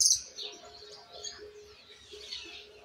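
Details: Argentine white goldfinch fledgling practising the "misisipi" song style, base already formed but needing polish; continuous high, scratchy warbling with a piercing note at the start, then softer chattering phrases.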